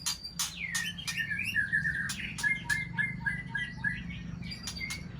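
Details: White-rumped shama of the Aceh type, paired with a Sabang bird, singing rich whistled phrases that slur between mid and high notes, mixed with sharp clicks and ticks, over a low background hum.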